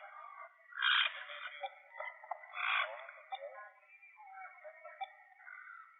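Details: Endemic, endangered Puerto Rican parrot calling while being fitted with a tracking transmitter: harsh, raspy squawks, two loud bursts near the start, followed by softer grating notes and chatter.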